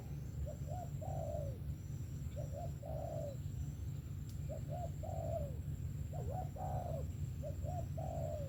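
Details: Repeated song of a good-voiced 'sấm thổ' spotted dove: five phrases at roughly even intervals, each two quick hooked coos followed by a longer falling croon, with a single sharp click and a low constant hum.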